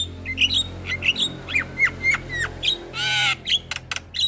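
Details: Black-winged myna (jalak kebo) masteran song for training young mynas: whistled notes and falling slurs, one long harsh raspy burst, and a steady low background hum.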